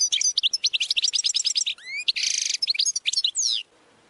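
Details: Goldfinch training song: a rapid, dense run of high twittering notes, trills and sweeping upslurs, with a buzzy, nasal burst near the middle before the phrase stops abruptly into quiet.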